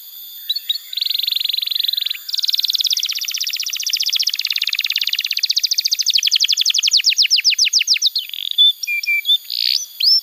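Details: Extended canary song for tutoring young canaries: a long sustained buzzy roll shifting into a rapid train of sharp descending notes that slows toward the end, finishing with scattered short whistles.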